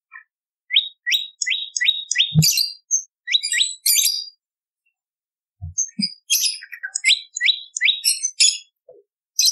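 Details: Bar-winged prinia song used to train and lure birds: bursts of four or five quick rising chirps in a row, repeated after short pauses, mixed with higher twittering and a couple of dull thumps.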